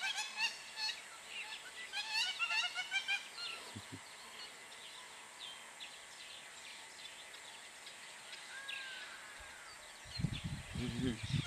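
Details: A hamerkop on a road in Liwonde National Park, Malawi, calls in a burst of rapid, nasal, squeaky notes in a chattering run that then fades, with a person's low voice and handling thumps near the end.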